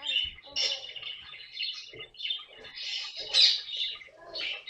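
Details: Rasping, burry squawks from a pet caique come in uneven clusters, with one louder sharp screech toward the end, recorded during the bird's comic antics.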